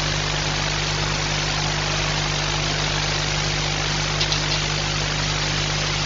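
A steady idling engine hums with strong low tones throughout, and no animal voice is heard.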